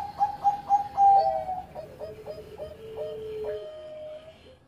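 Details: Bangkok-type zebra dove, a former contest winner, singing busily: bright rapid coos dropping into a series of short hooked notes, ending on a long level low tone.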